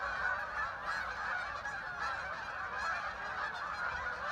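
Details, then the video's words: Thousands of ducks flying in and landing on the water along the Hockanum River, Vernon, Connecticut; a dense, unbroken chorus of overlapping honking and quacking calls from the huge flock, steady in loudness throughout. "thousands of ducks arrived making a strange noise"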